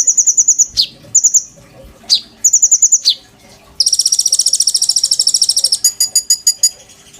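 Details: A captive oriental magpie-robin, used as a song tutor for white-rumped shama. Short high trills with falling whistles lead into a long, dense, buzzy rattle of very fast repeated notes, then a slower series of clipped chips.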